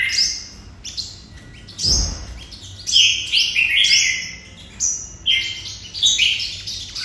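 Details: Sunbird song, likely a captive bird judged for feeding or singing quality: bursts of very high, thin, rapid notes sliding downward, repeated in quick twittering runs, with one dull knock partway through.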